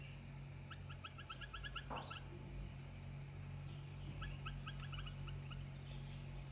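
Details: Pair of wild bulbuls giving rapid series of short chirpy notes in two bursts separated by a pause, with a brief thud midway and constant low background hum.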